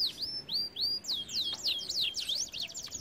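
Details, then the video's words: Canary song for training: a few slow, bright downslurred whistles, then a quick zigzag run of rising and falling notes. "Most powerful song for training Canary"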